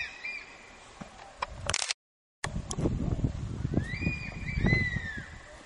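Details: Pair of crested serpent eagles duetting in breeding season outside Kulgi nature camp, Dandeli, Karnataka, 18/12/10: arched, ringing whistles at the start, then a series of overlapping slurred whistles over low rumbling background noise, with a brief gap.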